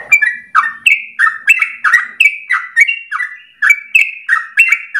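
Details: Long ropel song of a Yellow-vented Bulbul (trucukan), meant as a tutor lure for training birds at any time of day. It is a quick stream of sharp-onset, falling chirped notes with slight pitch alternation throughout.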